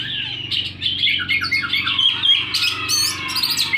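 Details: Oriental magpie-robin singing persistently with its tail fanned, so intently it got caught on a string: rapid, varied warbled and whistled notes over a steady low hum.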